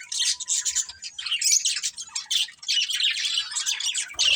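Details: Breeding pair of budgerigars giving continuous buzzy, high warbling chatter with quick chirps, barely pausing, plus a faint steady low tone early on and a soft knock at the end.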